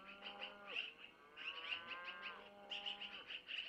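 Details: Long-eared owl owlets at a nest camera, fed by their mother with food she takes from the male around 05:05; bursts of high squeaky chirps alternate with drawn-out, harmonic, slightly falling tonal notes, in three rounds.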